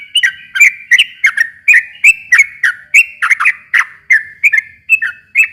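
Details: A long rapid song of the sooty-headed bulbul, used as a lure to make a quiet bird answer. Dense, jumbled, liquid whistles with harsh clicky edges tumble along without pause.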